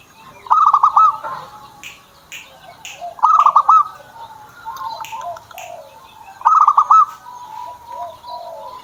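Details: Zebra dove kept by its owner gives quick rippling coos in three short bursts about three seconds apart, with softer lower notes between them and high chirps from other birds behind.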